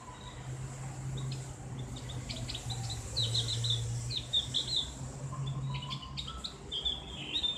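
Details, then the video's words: Javan grey-throated white-eye, tutor track for ngriwik chatter, loud open voice: scattered high chips and short twittered phrases, fairly faint, with a low steady drone throughout. "terapi ngriwik buat burung opior jawa/cak gentong | suara ngeplong"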